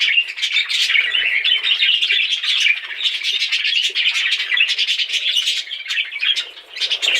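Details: Dense budgerigar chirping, many quick twittering and squawky notes overlapping in a continuous bright chatter.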